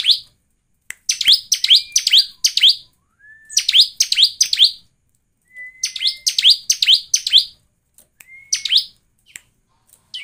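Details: Bar-winged prinia song used as a lure to get birds singing: clusters of emphatic, downward-sweeping chirps, some introduced by a long thin rising whistle, in phrases with short pauses.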